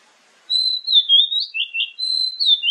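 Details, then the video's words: Whistled song of an Oriental magpie-robin, a lure sound for morning and evening meant to draw replies: long pure high whistles sliding down, then warbling lower notes and another long whistle, bright and clean with no background. "SUARA PANCINGAN KACER PAGI-SORE"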